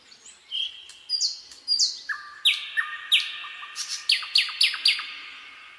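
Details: Common nightingale singing in a quiet spring pine forest: a long whistle, then rising series of sharp clicking whips over sustained whistled tones, accelerating toward the end.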